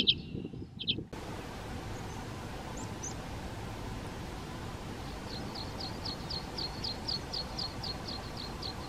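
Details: Water pipit in the Hrubý Jeseník mountains, Czech Republic, one of its few breeding areas there: a couple of sharp, high call notes, then a quick run of thin chirps, about three a second, over steady wind-like rushing.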